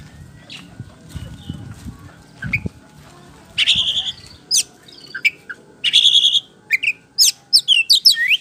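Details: White-rumped shama singing a gacor, ngeplong-style lure song meant to make birds respond. After a quiet start with low background noise, it gives harsh buzzy bursts mixed with sharp whistled upslurs and quick chips, building toward the end.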